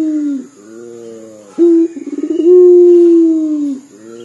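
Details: Local puter dove calling loudly in a cry-like voice: low, mellow tonal coos, a quick stuttering series of pulses, then a long sustained note that sags slightly before fading, with a steady faint high hum behind.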